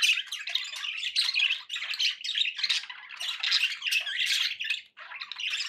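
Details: Captive budgerigars produce an unbroken stream of chirping, squawking and chattering, loud bursts every second or so, one short lull near the end.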